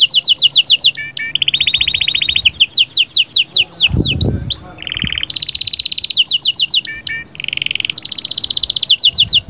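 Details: Canary in loud full song, meant to stimulate the female: fast, even rolls of high pure notes switching between pitch levels, with sweeping slurred notes and rapid trills. A brief low thump is heard midway.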